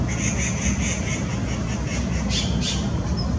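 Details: Taiwan blue magpie in Da'an, 11 January 2018, a bird known to mimic crested goshawk calls, now with a mate. A run of harsh squawking notes in quick succession, then two louder raspy bursts, over a steady low rumble.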